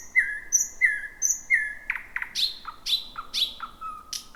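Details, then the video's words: Night song of a thrush nightingale, the year's first arrival in 2026, in a thick bushy area: repeated piping notes, then paired clicking knocks and a rhythmic series of sharp falling whistles. "Whippavoo the Thrush Nightingale"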